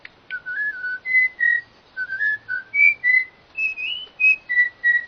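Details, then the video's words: Bird singing a series of pure whistled notes, some flat and some gently rising or falling, spaced unevenly about three per second, over a faint low background hum. "suara burung yg sangat keren"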